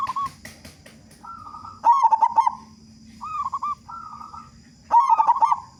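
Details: Local zebra dove in strong song, used to coax others into singing: two bursts of fast, loud, stuttering coos separated by softer wavering coo phrases, with faint clicks at the start.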